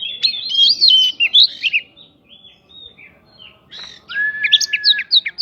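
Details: Prinia-filled provocation song of an Oriental magpie-robin, aimed at prompting other birds to reply: a tumbling phrase of slurred whistles, a quiet gap, then a level whistle under sharp high chips.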